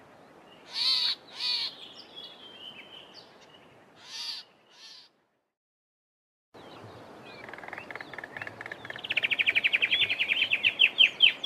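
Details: Southern tchagra: first a warning call of harsh, rasping, high notes in short bursts with pauses, then after a break its typical song, a fast accelerating series of whistled, rising notes growing louder toward the end.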